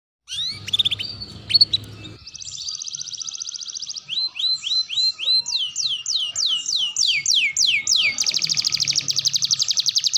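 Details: Canary song used as Indonesian masteran training material for young, developing and adult canaries: a brief low hum opens, then rapid high buzzy trills, a run of steep descending whistled sweeps, and a fast dense rattling trill to finish.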